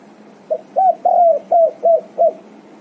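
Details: Spotted dove calling its companions: a soft lead-in note followed by five hollow, slightly falling coos in quick succession, the second one longest.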